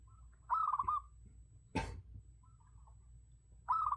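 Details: Decoy recording of a zebra dove: two rolling, stuttering coo phrases about three seconds apart, with a single dull thump between them.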